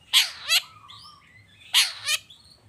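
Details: Long-tailed shrike lure song meant to make other shrikes reply: two loud, harsh, rasping double bursts about one and a half seconds apart, separated by softer whistled and trilling notes.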